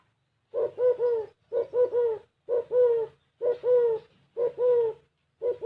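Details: Gáy gù kích bổi cooing of a spotted dove, with clear mellow phrases of a short note followed by two longer rounded coos, repeated roughly once a second against a quiet background.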